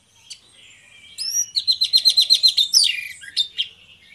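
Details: Two orange-headed thrushes in gacor ngeplong song, used as a lure: a faint start, then a fast series of about a dozen clipped, identical notes, followed by a sharp whistled flourish and a few scattered calls.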